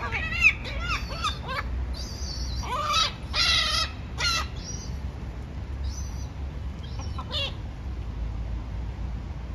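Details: Gulls squabbling over a meal give a burst of quick, harsh squealing calls, then louder drawn-out cries and scattered shorter yelps, all over a constant low rumbling background.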